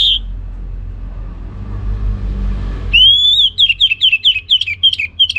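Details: Orange-headed thrush kept in Singaraja, northern Bali: a long level whistle followed by a rhythmic series of short downslurred whistled notes repeated quickly, clear and high, over quiet low noise.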